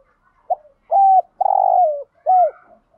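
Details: Spotted dove calling in the thúc gù, gáy gọi and đảo bài styles used to stimulate other doves: a short low note, a flat hooted coo, a long burry falling coo, then an arched coo fading softly.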